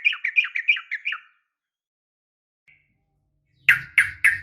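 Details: Female yellow-vented bulbul calling the male: about five quick bubbly chirps, a long silence with one tiny note, then three loud harsh squawk-like calls spaced evenly.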